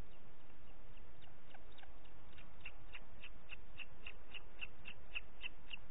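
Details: Rapid series of a dozen high, yelping notes that grow louder and clearer, from a booted eagle recorded 30 June 2021 at 11:01 in Parc Natural dels Ports, over faint hiss.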